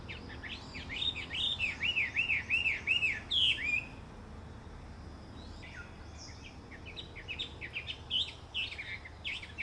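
Chinese hwamei singing loud, clear whistled phrases: a run of five quick, arched, repeated notes, then a pause and softer, varied twittering phrases.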